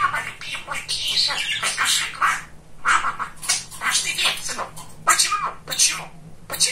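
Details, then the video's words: Very talkative male pet budgerigar chattering in imitated speech: dense runs of harsh, squeaky, speech-like syllables, several sharp high bursts near the end, over a steady low background hum in a small room. "Самый Болтливый волнистый попугайчик"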